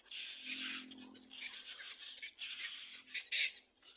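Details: Nestling little black cormorant crying loudly when another bird comes to the nest: rough, raspy, noisy cries in uneven bursts, with a brief sharper squeal near the end and a low hum underneath.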